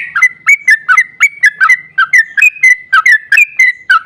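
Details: Rolling song of a trucukan, or sooty-headed bulbul, played to spur other bulbuls to sing: quick even string of rich, slurred whistled notes, bouncing between two pitch levels, with faint low murmur beneath.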